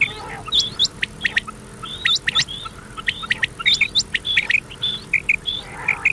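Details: Common quail calls from an old cassette lure recording meant to be played through the night until morning: dense, sharp, high chirped notes in quick irregular series, several callers overlapping, with faint background hiss and a steady low hum.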